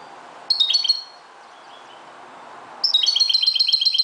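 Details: At dawn a Moroccan goldfinch gives a short twittering phrase, pauses, then launches into a fast, steady run of clear, ringing high notes.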